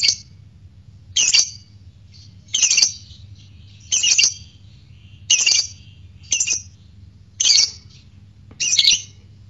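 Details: Fighter lovebird calling to provoke courtship and singing; short harsh, scratchy high bursts repeated roughly every one to one and a half seconds, eight in all, with quiet between them.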